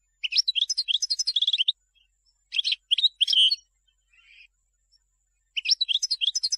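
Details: European goldfinch song intended for teaching young birds: quick twittering phrases with a rattled run of repeated notes, short chirp groups after a pause, a faint low buzz, then another burst of lively twitter.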